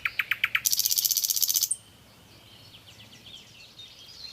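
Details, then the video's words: Nightingale song: a quick series of loud, clipped repeated notes that runs straight into a fast, harsh, buzzy rattle, then fades to faint distant twittering against a soft hiss. "Song of Nightingale _ the best song of Nightingale۔ بلبل کی چہکتی ہوئی پیاری آواز!صدا बुलबुल के गीत"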